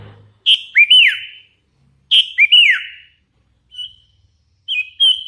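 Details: Lively hand-raised sooty-headed bulbul repeating a whistled phrase roughly every two seconds, each a bright high note followed by a rising and falling slur, with shorter plain whistles near the end.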